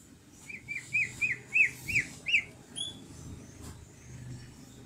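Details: Energetic greater green leafbird song: six arched, slurred whistles repeated about three times a second, followed by one higher drawn-out whistle, with quiet low rumble underneath.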